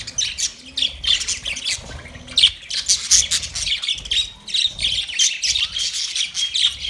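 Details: Budgerigars in a large aviary cage chatter as a busy flock, with rapid high chirps, squawks and warbling notes running almost nonstop over a faint low hum.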